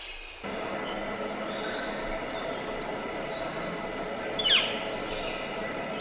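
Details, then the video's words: A Northern flicker gives one sharp, downslurred call about four seconds in, over a steady hiss of background noise. "What Does a Northern Flicker Sound Like?"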